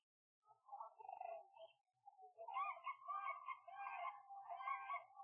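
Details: Common cranes at Gallocanta lagoon, Spain, in winter give their loud, deep trumpeting, mainly used in flight to stay in contact: rolling, overlapping bugled calls from several birds, a brief burst and then a steadier chorus.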